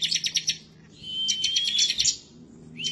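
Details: An excited, emotional bar-winged prinia sings as though looking for a rival. A fast stuttering burst gives way to a steady thin whistled tone overlaid with rattling ticks, then another burst begins.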